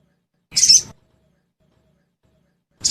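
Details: Sogon lure recording for caged birds: one rough, noisy high note lasting nearly half a second, then silence before the next burst begins.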